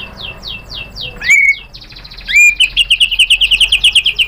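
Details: Provoked white-rumped shama singing hard: a series of descending whistled slurs, two strong piercing rising whistles, then a fast even run of about fifteen clipped repeated notes.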